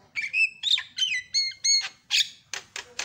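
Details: Javan myna answering a lure sound, quickly growing noisy: a run of clear whistled notes with rising and falling tones, each about a quarter second long, followed by three harsh rasping bursts.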